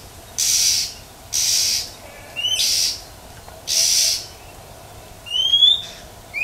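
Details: Wild female Oriental magpie-robin in nature giving 'huýt chẹp' calls to stimulate males: four loud, harsh, rasping bursts about a second apart, then thin rising whistled notes near the end, over quiet background.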